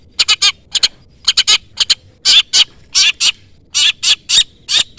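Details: Long-tailed shrike (cendet) calling to a rival: bursts of rasping, broadband notes in clusters of two to four, with longer buzzy notes in the second half.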